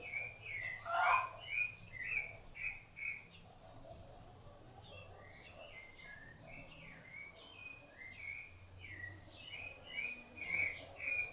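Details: Rufous-bellied thrush feeding its chicks sings loud fluty whistles in quick bursts, about two notes a second, with a short pause midway and a softer stretch before the song picks up again.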